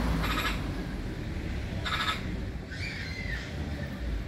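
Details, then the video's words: Black-billed magpie giving harsh, rasping bursts, two short raspy calls about a second and a half apart followed by a drawn-out squealing note, over steady low rumbling background noise. "Black Billed Magpie Call"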